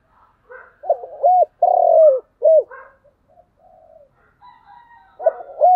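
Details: Spotted dove delivering thúc gù coos: a loud phrase of arched notes around one long mellow falling coo, a pause with faint soft notes and a thin whistle, then the phrase starting again.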